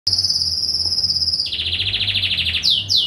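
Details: Green canary kept as a home pet singing: a long high sustained whistle, then a fast even buzzy trill, then quick downslurred notes.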